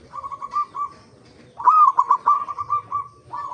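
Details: Local zebra dove singing as a lure for other doves: soft fluttering coos open, then a louder rising note leads into a long, even series of quick stuttered coo notes.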